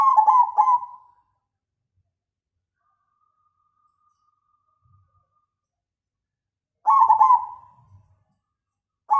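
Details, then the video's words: Loud-voiced black cemani Majapahit zebra dove giving two bursts of rapid, rolling coos separated by a long silence, each phrase trailing off into a soft descending trill. "Perkutut cemani Majapahit suara besar"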